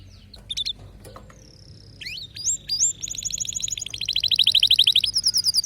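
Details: Canary singing: a few scattered chirps and a drawn whistle, then a sweeping rising note leading into a fast, accelerating rolling trill that grows louder toward the end.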